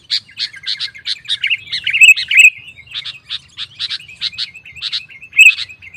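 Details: Sooty-headed bulbul in full song, meant to provoke rival bulbuls into singing back; quick repeated chirps and short rolling phrases, a few louder slurred notes near the middle and end.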